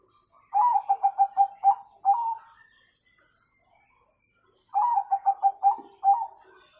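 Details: Singing Bangkok zebra dove with the kung tone, a training recording for young doves; two phrases of six or seven mellow, rapidly repeated coos, each ending in a longer, slightly rising note, with a pause between phrases.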